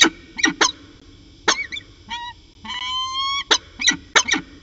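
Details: Afternoon calling from a peregrine falcon pair at Orange, 13 January 2019: sharp chipping notes and short squeals, a drawn-out rising wail midway, then more quick chips.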